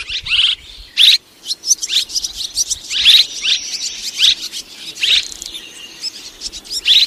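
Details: Swiftlets, a mixed recording of two kinds from 2023: bursts of high, thin chirps and twitters in uneven clusters, with brief faint whistled tones and near silence between bursts.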